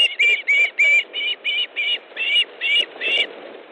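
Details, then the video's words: Estonian osprey nest on 18 August 2014, male handing fish to the female; a quick, even series of nine clipped whistled notes, roughly three per second. "Osprey nest, Estonia 18th August 2014 18.05 Ilmar delivers fish to Aino"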